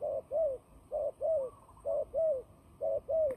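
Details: Turtle dove used as a trapping bird, fighting: coos in pairs, a short clipped note followed by a longer falling one, each pair about a second apart.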